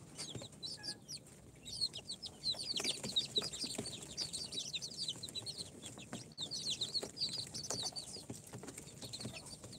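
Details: A crowd of four-day-old incubator-hatched chicks of Sultan, Golden Sebright, Cochin and booted breeds. They keep up a busy, high-pitched peeping of short falling chirps, louder in the middle and accompanied by scuffling sounds.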